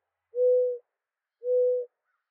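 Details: Mourning dove giving two soft, low, steady hooting coos about a second apart, each level and smooth, with quiet surroundings.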